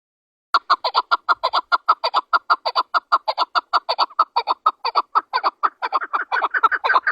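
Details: Chukar partridge, called chakor, national bird of Pakistan, calling: a long run of harsh, clucking chuk notes repeated rapidly and steadily, about ninety per minute, growing denser and more overlapping toward the end.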